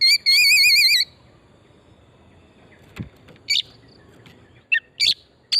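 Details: Oriental magpie-robin lure for stimulating singing, pristine forest: an opening second of fast rippling, trilled whistles, then quiet, a faint tap, and scattered short sharp whistled notes toward the end.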